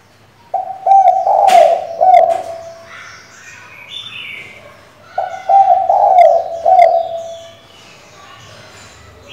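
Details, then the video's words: Female spotted dove calling to the male to stir up a decoy bird, in gáy, gù and thúc styles: two bursts of rolling mid-pitched coos, each of several notes, separated by a pause with soft chirps and rustling. "Cu gái mái gáy, gù, thúc,... kích bổi"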